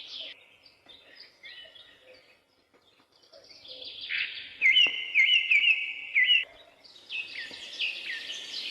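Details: Bird song with scattered thin chirps at first. It swells into a loud run of rapidly repeated, looping whistled notes near the middle, then gives way to bright, rising twitters.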